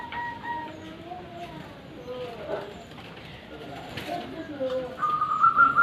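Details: Zebra doves calling together in the morning, a lively chorus: soft, wavering tonal coos around several pitches overlap, ending in a louder, steady higher note near the close.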